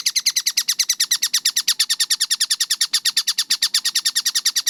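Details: Collared kingfisher (tengkek buto) in a tight-tempo training recording gives a rapid, unbroken sequence of shrill, scratchy notes, evenly spaced and very quick, with no background sounds.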